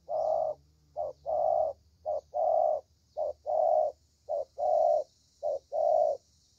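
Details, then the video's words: Spotted dove, a young lure bird with a strong voice, cooing steadily: repeated pairs of a short note and a longer hollow coo, about one pair per second, with faint hiss and hum. "Thổ Tơ Tốt Tiếng"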